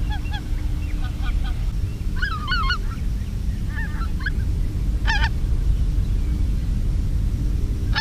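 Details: Greater white-fronted geese responding to decoy calling in 2016: scattered squeaky yelping honks, some distant and some closer, in short bursts across eight seconds, against heavy low-frequency wind rumble.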